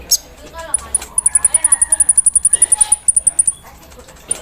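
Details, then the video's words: Kolibri ninja (Javan sunbird) in the early morning dew giving its embroidery-machine imitation: a fast, even rattle of very high ticking notes, about twenty in under three seconds, over faint low murmuring. "KOLIBRI NINJA GACOR KELUAR ISIAN MESIN BORDIR SAAT DI EMBUNKAN PAGI HARI"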